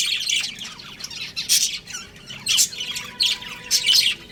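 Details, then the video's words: A breeding pair of pet budgies chattering continuously: dense, scratchy high chirps and squeaky warbles come in bursts about once a second, with a faint steady tone in the background. "Cute Budgies Chirping Sounds"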